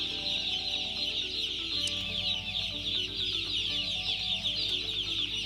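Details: Many broiler chicks cheeping together: a shrill, unbroken wall of tiny peeps over soft music.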